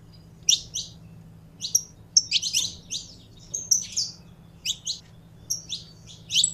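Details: Saffron finch kept in a cage and stirred up through handling to sing. Separate short, high, scratchy chirps and small clusters come at irregular intervals with quiet gaps between them, over a soft constant low hum.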